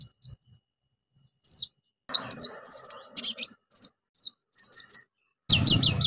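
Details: Rapid song of an orange-headed thrush, loaded with imitated calls and used to coax silent birds into singing: stuttering high chirps and downward whistles in quick clusters, some faint low noise between phrases.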